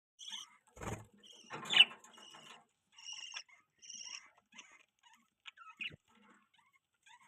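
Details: Pet budgerigars chirping indoors: sparse short chirps and brief warbled notes with soft clicks, separated by quiet gaps, and one louder rasping burst near the start.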